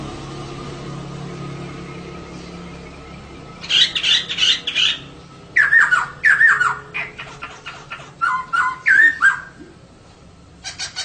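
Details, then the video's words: Female laughingthrush song used to stir males into singing: a burst of harsh rasping chatter, then loud downslurred whistles mixed with scratchy notes, falling quiet before a final rasp. "Kicau Poksay Betina || Pancingan Untuk Poksay Jantan Supaya Gacor"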